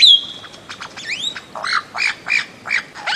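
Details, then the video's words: Bird-of-paradise giving a series of harsh, nasal squawks repeated roughly every third of a second after an opening high whistle and a rising slur, with soft background chatter. "Bird of Paradise Calling Sound"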